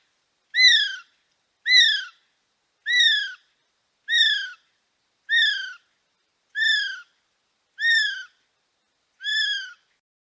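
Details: Male kiwi at Paignton Zoo giving a series of eight shrill, slightly arched whistles, each falling at the end, just over a second apart, with a quiet background.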